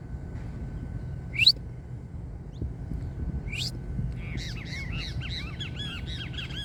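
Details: Saffron finch, called canário-da-terra: a few sharp rising chips, then a fast run of repeated arched notes over a constant low rumble and a steady tone.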